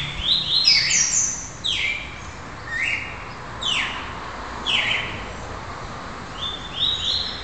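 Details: Young red-crested cardinal still showing juvenile mottling, lively and repetitive, singing while its song is being polished: bright descending and rising whistled notes in quick phrases, several close together at first, then spaced about every second, faint steady background noise.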